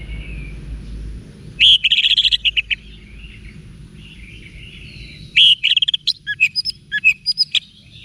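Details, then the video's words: Orange-headed thrush song used to train caged birds in North Bali; a fast run of high chirps, then a pause and a varied phrase of sharp whistled notes and clicks, with soft hum behind. "ANIS MERAH Manapun Bakal Nyaut Berani Untuk Figther Saat Didengarkan Kicauan Wiksar Ini"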